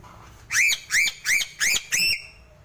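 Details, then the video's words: Sulawesi crow, or gagak sule, calling a series of five evenly spaced rising whistles, roughly three per second, each clear and harmonic-rich, the last note drawn out slightly longer. "Suara burung gagak sulawesi"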